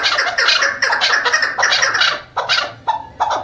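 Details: Female chukar, a partridge kept by hunters, giving short bursts of harsh chattering notes, then a few single sharp chuk calls spaced by brief gaps.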